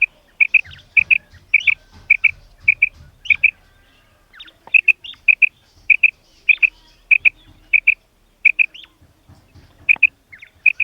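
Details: Calling female common quail: a long run of crisp double notes, high and even in pitch, repeated steadily with one brief gap, otherwise quiet surroundings.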